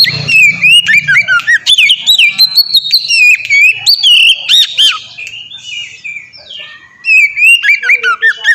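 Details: Oriental magpie-robin in ngeplong style, used as a training lure to get other magpie-robins singing: a rich, varied run of clear whistled phrases with quick upslurs and downslurs, sliding trills and sharp notes, over a brief low hum at the start.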